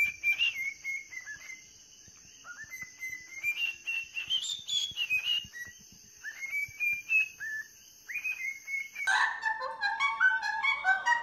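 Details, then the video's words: Singing parrots give warbling whistled phrases that slide up and down, ending in a burst of rough, harmonic chatter, over a steady high-pitched whine. "Funny singing parrots"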